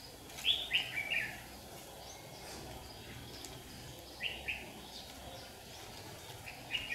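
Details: Lure red-whiskered bulbul singing in competition while set in a trap under strong sunshine on 8 July 2019: brief bright warbled phrases separated by pauses of two to three seconds, background hum, no other clear sounds.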